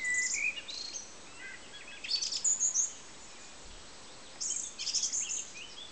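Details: Singing song thrush delivers short separate bursts of bright, high notes and quick slurred whistles, with pauses of over a second between phrases, over a soft, steady hiss.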